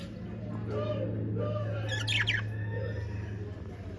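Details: Budgerigars, described as happy parakeets, give a quick run of sharp descending chirps midway through, against a constant low electrical hum and faint softer warbling.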